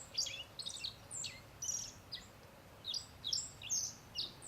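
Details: Black-faced bunting perched in the open at close range in Settsu Gorge, Hokusetsu area of Osaka, Japan, giving bursts of sharp, high-pitched tweets and brief descending buzzy notes, clustered in quick groups about every half second, with faint background hiss.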